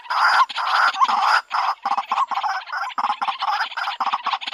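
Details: Female white-breasted waterhen calling for a mate; long, rasping, buzzy croaks give way to quicker, choppy, stuttering notes.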